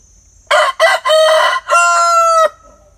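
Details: Rooster giving a full crow of two brief opening syllables, a sustained middle phrase and a long, level closing note that stops abruptly, strongly harmonic and loud against a faint low background hum.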